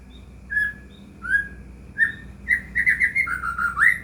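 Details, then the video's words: White-rumped shama song played to provoke a silent caged shama: spaced sliding whistles building into a fast, varied run of bright whistled phrases. "murai batu gacor AMPUH buat PANCINGAN murai batu agar bunyi"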